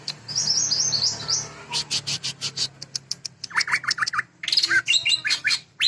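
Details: Greater green leafbird singing its sewing-machine filler, a quick high twittering opening that gives way to evenly spaced loud clicks, then lower slurred notes and bright rippling chirps.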